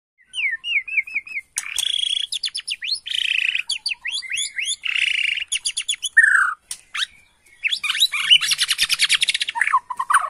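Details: Bornean white-rumped shama singing agitatedly in reply to a lure recording; a fast varied stream of whistles, rapid trills, sharp chirps and buzzy rattling phrases, mostly high-pitched and nearly continuous.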